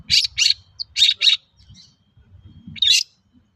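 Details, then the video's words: A Long-tailed shrike sings persistently, its song used as a lure to prompt other shrikes to sing. Four loud, harsh, high chattering bursts come in two pairs, then a quiet pause, a soft low murmur and one final rasping burst. "Suara burung cendet gacor untuk pancingan cendet bahan"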